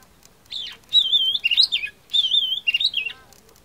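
An Oriental magpie-robin gives two rich, varied phrases of clear whistles and quick warbled notes, high-pitched and sweet, each lasting about a second.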